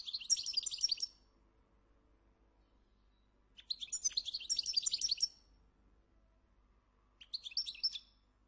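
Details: Moroccan European goldfinch at a breeding farm, a rare, endangered bird prized for its loud, high-quality voice whose tones vary by region: three bursts of high, rapid, tinkling twitters, two short and one longer, separated by quiet pauses.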